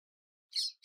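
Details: Indian grey hornbill at Kapra Lake, Hyderabad, India, perched atop a broken palm tree eating and quarrelling with a couple of parrots, gives a shrill, squeaky note, then after a silent pause quickly starts a second; no other sounds.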